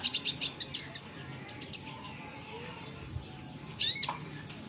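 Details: High twittering of a sunbird (kolibri ninja, burung konin): a rapid run of sharp chirps, a short pause, then a final squeaky burst, over a low hum.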